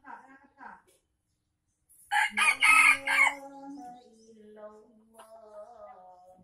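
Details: A junglefowl from Aceh, Indonesia, used to lure wild birds, gives one loud crow of four quick, harsh pulses lasting just over a second. Softer drawn-out tones trail after it, with faint clucks before.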